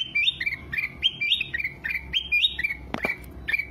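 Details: Song of a ruby-throated bulbul meant to train cage birds: looping whistled phrases that rise then fall in quick succession, with a sharp click near the end.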